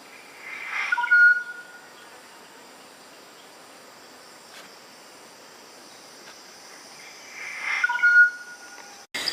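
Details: A Malaya black magpie, a treepie also called takar kambing, gives two short, nasal, ringing phrases about seven seconds apart, over a steady high insect drone.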